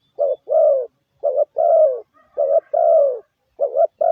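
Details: Spotted dove lure call: a short, low coo followed by a longer, mellow falling coo. The pair is repeated three times at even intervals, clear and close, with no other sounds.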